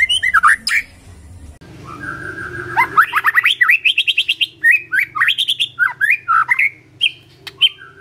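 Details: Magpie-robin song: swooping whistled notes, a soft hissing pause, then a long run of quick rising slurred whistles and varied chirps repeated at a lively pace.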